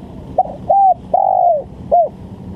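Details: One spotted dove phrase used to lure birds for trapping: a short stutter, a bright level coo, a long coo bending downward and a brief closing coo, with low background hum.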